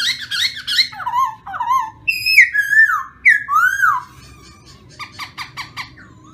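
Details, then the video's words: Black-throated laughingthrush singing a loud, varied song of rich whistled phrases that slur down and up, followed by a run of short, rapid, clipped notes near the end. "chim khướu mun hót hay"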